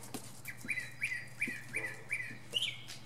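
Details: Northern mockingbird singing atop a pine tree, one mimicked phrase: a clear upslurred chirp repeated six times at an even pace, the last note higher, with soft clicks and a low hum behind.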